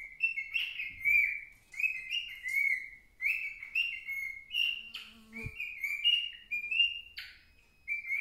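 A young cockatiel whistles a busy, non-stop string of rising and falling phrases.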